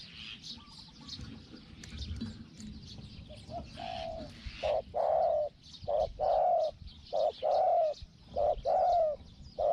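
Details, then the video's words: Spotted dove used as a decoy to lure wild doves, described with a small 'hong hong' voice. Loud rhythmic hoarse coos, short and long notes in regular series after quieter calls, with insects faintly behind. "ต่อนกเขาใหญ่ "เจ้าสาม"ตามตัวหมาย เสียงเล็ก หองๆ"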